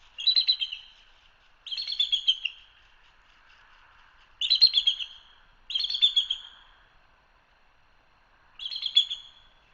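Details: High-pitched chattering calls of a bald eagle from a live camera at Hanover, Pennsylvania: five squeaky, stuttering bursts spaced irregularly one to three seconds apart, with a faint low hum between them.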